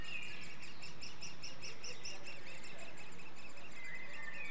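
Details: Great spotted woodpecker nestlings at a nest-hole in Clyne Woods, Swansea, Wales, May 2014, being fed by parents: a steady, rapid stream of high, scratchy chirps, several per second, over a low background rumble.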